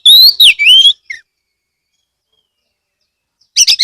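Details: Lure song of an Oriental magpie-robin (kacer) from Kebumen, Central Java, Indonesia: one loud phrase of slurred, falling and rising whistles, then silence before another brief burst of notes.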